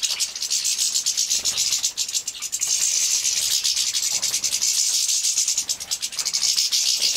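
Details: Captive-bred goldfinch young being fed in Poland, 2017, make a continuous, loud, hissing, buzzy chorus of very high notes with a fast, rasping pulse throughout.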